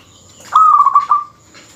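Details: Zebra dove of a local strain sings a dense phrase meant to rile rival males: a soft lead-in, then a bright, steady coo that ripples with quick pulses and fades over about a second.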